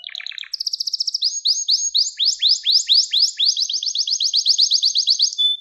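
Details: Gloster canary singing a training song to rouse males: a brief lower rattle, then a long run of rapid high repeated notes turning into a steady series of rising slurred chips, about four per second.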